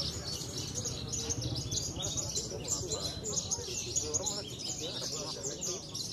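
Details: Javan bush lark entered in bird-singing contests in Cilacap, pouring out an unbroken, high twittering song of scratchy notes and quick slurs over a busy background of other birds.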